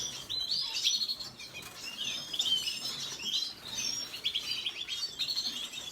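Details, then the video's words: Red siskin singing: a continuous high twittering of quick chirps, short trills and rising and falling whistled notes, with a faint low murmur of voices behind. "سیسکنی سور سسكن فنزويلي احمر red siskin"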